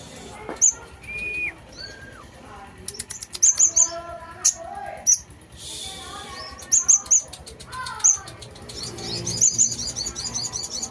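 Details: Sunbird in full song: scattered high, piercing chip notes and short runs of three rapid chirps, mixed with lower sliding twitters and a busy murmur behind.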